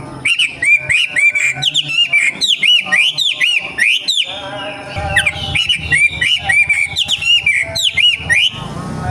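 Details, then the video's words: Young wild wambi singing loud, rich whistled notes that slur downward, repeated rapidly in long runs, over a low droning hum and other chattering sounds. "KICAU WAMBIE MUDA HUTAN 🔥🔥🔥 BIKIN WAMBI LAIN IKUT BUNYI"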